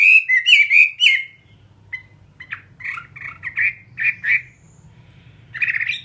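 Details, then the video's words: Caged fighting Chinese hwamei giving short bursts of harsh, squawky warbled phrases separated by brief pauses, with a faint low hum beneath. "Họa mi chiến"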